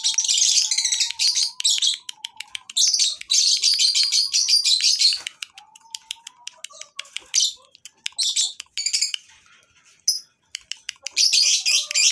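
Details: Many lovebirds heard together at a breeding farm, recorded as tutoring material for other birds: bursts of loud, high-pitched chattering and squeaky chirps alternating with shorter quiet gaps, over a low wavering hum.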